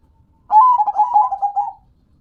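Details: Local zebra dove (perkutut), described as a lively, frequent singer, giving a rolling, pulsed coo phrase lasting just over a second: a quick bubbling series of soft notes that falls slightly at the end, against a quiet background.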